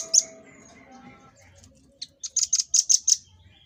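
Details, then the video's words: Cage-bird master recording of the red-billed rambatan (velvet-fronted nuthatch): one loud high chip and faint twittering, then a rapid volley of about seven shrill, evenly spaced chip notes, the typical 'tembakan' burst. "Tembakan Dan Suara Khas Burung Rambatan Paruh Merah"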